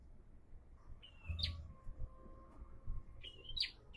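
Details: Two quick phrases from a bar-winged prinia that has begun singing often: a level whistled note snapping upward into a bright chip, then the pattern again after two seconds, with a faint low hum beneath.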